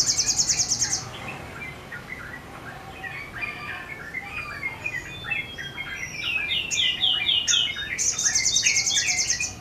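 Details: Sogon in lively song, wings opened: jumbled twittering chirps throughout, framed by loud, rapid, high-pitched buzzy rattles at the start and toward the end.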